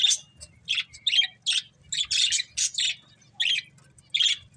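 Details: Two budgies of a breeding pair trading short, sharp, high chirps with thin whistled notes, spaced irregularly about every few tenths of a second in a quiet setting.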